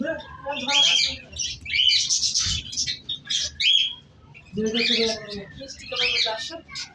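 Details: Pet cockatiel (Nymphicus hollandicus) at home giving bursts of harsh, chattering calls mixed with brief, clear whistled notes.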